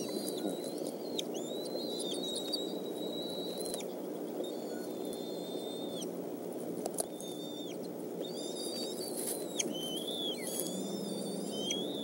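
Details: Decorah eagles, evening fish feeding on 17 May 2014 between about 5:19 and 6:25 pm: scattered high whistled squeals, a long held tone early, then clusters of short sliding whistles and clicks later, against low continuous background rumble.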